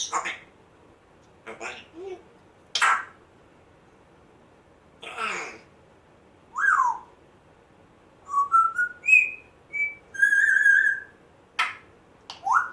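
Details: Rescued male African grey parrot, one month after rescue, making odd sounds learned in a former home with a Chihuahua, a squeaky door and a man hawking: harsh broadband squawks and clicks, then short whistled notes and a warbling whistle near the end.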